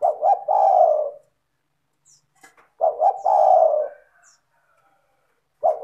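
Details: Spotted dove (tekukur) used as a lure to make other doves sing, a vigorous, clear, melodious singer: two short hooting notes then a long falling coo, the phrase repeated about every three seconds, with faint high chirps between phrases.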